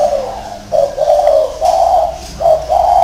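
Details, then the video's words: Spotted dove cooing: a run of low, hollow coo notes, some short and some drawn out, in uneven bursts over about three seconds, with no other clear sounds. "chim cu thổ gì đây các bác???"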